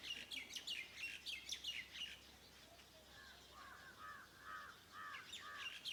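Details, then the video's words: Morning birds at a farmhouse: bright high chirps in quick bursts early on, then a series of lower arched, slurred notes repeated about every half second. "Sounds of birds in the morning around my farm house"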